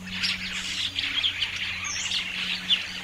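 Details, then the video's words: Common starling warbling continuously, with thin whistles and a brief rising squeal mixed into rapid chatter, over a low hum. "Скворец. Часть 2. Голоса птиц"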